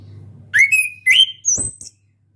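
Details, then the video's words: Caged juvenile orange-headed thrush practising its song: three loud whistled phrases, the first rising into a held tone, the second sliding upward, the last a high thin note over a click. "ANIS KEMBANG BELAJAR NGEPLONG"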